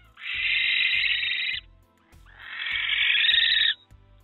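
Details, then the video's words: After a territorial fight with an intruding barn owl and a tawny owl, a female barn owl with eggs calls in distress: two long, harsh, hissing screeches with low knocking below, as the male comes to join her. "female barn owl was calling out in distress and the male barn owl came to join her"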